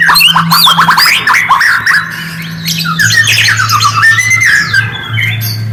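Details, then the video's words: Lure song of the white-rumped shama meant to provoke quiet birds into answering: rapid whistled notes sweeping up and down, then a long descending run of slurred notes, over a constant low hum. "Murai diam langsung merespon suara burung ini, pancingan murai batu"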